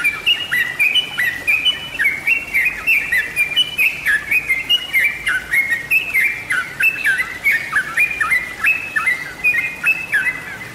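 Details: Bird-luring recording of a sooty-headed bulbul: a long, continuous chatter of bright, bouncing notes that rise and fall, with crisp high ticks and almost no pauses.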